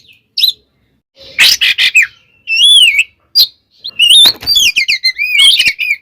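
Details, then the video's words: Provoking fighting song of an Oriental magpie-robin ('tarung konslet'): scratchy broadband bursts alternate with looping, rising and falling whistles that build into a dense, varied warbled run at the end. "SUARA BURUNG kacer gacor TARUNG KONSLET nembak ini AMPUH buat PANCINGAN KACER agar EMOSI SEKETIKA"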